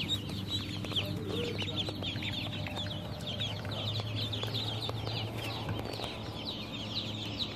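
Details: Many young ducklings peeping together: thin descending chirps tumble continuously and overlap, with a constant low droning hum underneath and a few faint clicks.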